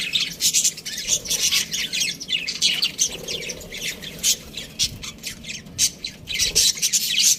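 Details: Budgerigars chirping: dense, overlapping high scratchy chatter and squeaky warbles in quick bursts, with short sharp notes and almost no low sound beneath.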